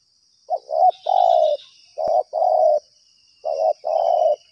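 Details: Lured spotted dove at a trapping ground calling steadily: three phrases, each a brief stuttered coo followed by a long mellow coo, about two seconds apart, with a constant shrill insect drone and light bird chirps behind.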